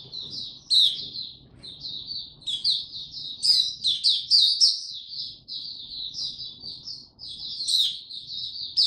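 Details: Developing song of a young male white-eye, 9 February 2022: sustained high, jumbled twitter of sharp chirps and thin slurred notes rising and falling in loudness, with soft low hum behind.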